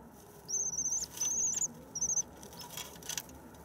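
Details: Common swifts newly arrived in spring on 9 May: thin, very high, shrill trilled screams in three drawn-out bursts of about half a second each, then one brief final scream, over a faint steady hiss.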